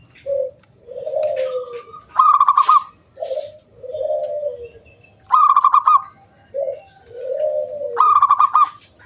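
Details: Zebra dove, local and wild, singing loudly as a lure for other doves. Repeated phrases of a short coo, a longer sliding coo, then a rapid throbbing burst, three times over about nine seconds.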